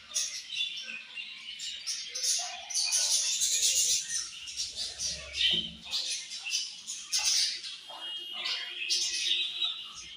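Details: A group of budgies keeps up continuous high chirping and warbled chatter, busy overlapping twitters and squeaks with frequent loud bursts throughout.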